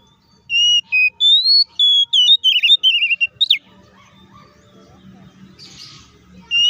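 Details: Oriental magpie-robin in fighting song, used to provoke other magpie-robins into anger: a fast run of loud, clear whistled notes, rising and falling, with quick trills, ending abruptly after about three seconds, then near silence with faint low rumble.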